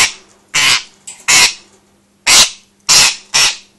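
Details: Pet parrot indoors throwing a fit, angry because her owner was filming another parrot instead of her: harsh, raspy, loud screeches about half a second long, repeated irregularly, five in under four seconds, over a steady low hum.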